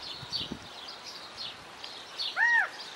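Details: California quail recorded in Wanganui, New Zealand: a single strong arched call note near the end, rising then dropping, over a backdrop of constant high chirping from other birds.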